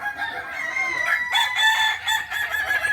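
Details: Kukuak Balenggek crowing practice contest, Ampang Kualo, Solok, May 2024: dense, overlapping rooster crows with bright sustained harmonics swelling and fading over three seconds.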